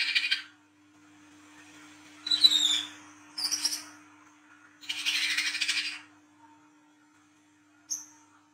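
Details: Olive-backed sunbird (local name wiceh trotol) singing in the ngriwik chattering style at night, used as a lure sound: harsh buzzy bursts alternating with thin high whistled notes, separated by pauses, with a steady low electrical hum.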